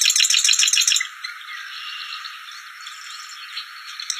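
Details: Wild bar-winged prinia giving a brief, fast rattling burst of high, sharply repeated notes for about a second, then fading into soft background twittering.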